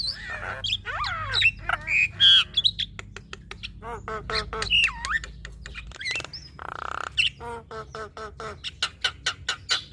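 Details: Female Javan myna in full song, used as a tutor recording for starlings. Fast, uneven clicks and rasping notes mix with looping whistles and a drawn-out buzzy note, about three elements per second.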